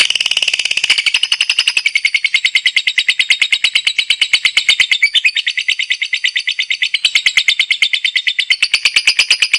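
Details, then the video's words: A competition lovebird delivers a long ngekek, a continuous rapid chatter of high harsh pulses. It runs nearly ten seconds without a pause, with slight shifts in pitch and loudness along the way. "LOVEBIRD NGEKEK DAN NGETIK AKTIF"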